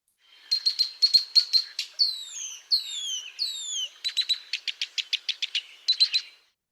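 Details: A male Red-winged Blackbird's rare flight song, usually given in flight a few times a day: rapid chatter, three long descending slurred whistles, then dry clicky notes ending in a buzz. The best guess is that he is signalling his mate that he is leaving the territory.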